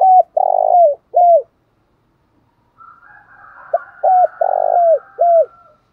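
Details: Spotted dove singing in the Vietnamese 'thổ pha đồng' voice style: a short phrase of low cooing notes, a clipped note, a long rolling coo and a falling final coo, sung twice with a pause. A faint high steady tone runs between phrases.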